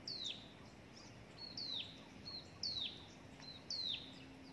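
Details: Hill prinia chick calling as its parent delivers prey, including a gecko and a grasshopper; the young bird nearly died. Four thin, high squeals slide steeply downward about once a second, with soft short chips between them.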